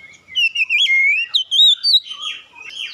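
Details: Lure song of an Oriental magpie-robin, meant to spur other birds into song: a long, wavering whistled phrase that climbs in steps, then a run of bright, swooping notes.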